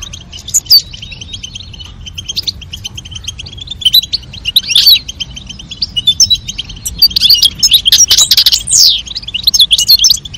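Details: Female European goldfinch calling while the male sings to encourage mating; scattered high chirps early, then a busy stretch of fast, liquid twittering and buzzy trills that grows louder and denser toward the end.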